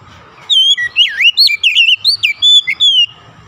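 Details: Oriental magpie-robin delivering a sweet, varied whistled song: swooping V-shaped notes, quick trills and level whistles strung together for about two and a half seconds.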